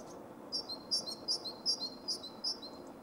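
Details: Great Tit male singing in Zagreb, Croatia, winter 2015: bright, high whistled note pairs, each high note sliding down to a slightly lower one, repeated evenly five or six times against a quiet, faint background rumble.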